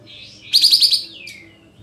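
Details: Sooty-headed bulbul song used as a lure to provoke other birds into singing: a thin high whistle, then a burst of four or five bright, rapid, buzzy notes, ending with a short sliding tail note.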